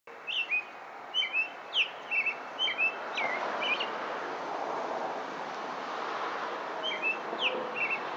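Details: An American robin sings from a roof in Stouffville, Ontario: a run of clear, whistled caroling phrases that rise and fall, then pauses and resumes, over a steady background hiss.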